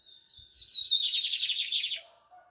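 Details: Song of a brown-toned lined seedeater: a steady high whistled note runs straight into a fast, rattling, buzzy trill for about a second, ending abruptly, followed by faint lower chirps.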